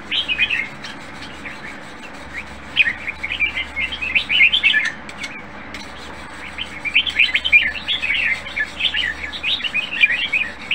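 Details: Cage-kept red-whiskered bulbul with a voice praised as contest-worthy delivers long runs of rapid, chattering, upslurred whistles, broken by one brief pause midway, a constant low hum underneath.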